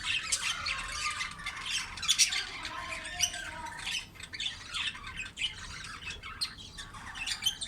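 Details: Budgerigar chicks being fed by their mother, giving dense, scratchy, high squawking chatter in rapid irregular bursts, continuing throughout.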